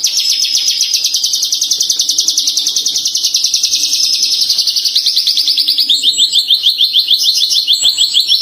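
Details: Tame Javan bush lark in loud, non-stop song: a rapid, buzzy trill of high notes about three to four per second, held steady, then dropping slightly in pitch toward the end.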